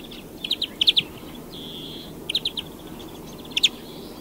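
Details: European greenfinch song of quick bursts of ringing trilled notes, interrupted by a flat, buzzy drawn-out tone, over a steady background hiss.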